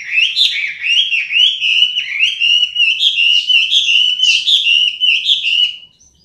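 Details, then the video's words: A Chinese hwamei delivers an unbroken stream of clear, warbling whistles, rising and falling in quick succession before fading out abruptly at the end. "Hwamei Singing"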